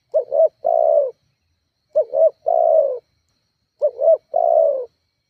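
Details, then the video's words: Spotted dove used as a lure to provoke rivals, coos in a steady pattern: three phrases of two short rising notes and a long falling coo, repeated roughly every two seconds. "Suara tekukur GACORR menekan emosi lawan"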